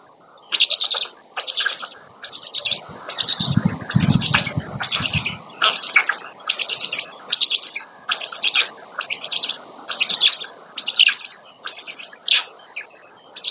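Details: At a Polish black stork nest in the Łódź region, 27 May 2020, the female feeds her chicks. Rasping high calls repeat in a steady series about every second, with a low rumbling thump near the middle.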